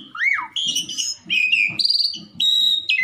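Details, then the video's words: Black-collared starling, recorded to goad a rival into song: a looping whistled sweep, then steady held whistles and buzzy notes in short separated phrases, soft low thumps underneath. "COBA PUTAR DIJAMIN JALAK SUREN LAWAN EMOSI || Yang males bunyi langsung nyaut"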